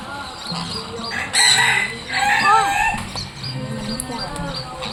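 Two loud, harsh, grating screeches from a sun parakeet, each about half a second long, with people talking quietly in the background.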